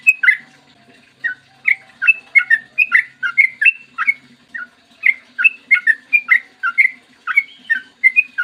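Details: Clear morning 'ropel panjang' song of a yellow-vented bulbul, played as a lure so others sing: rapid chattering sequences of liquid whistled notes, broken by short pauses near one and four and a half seconds, over a faint low hum.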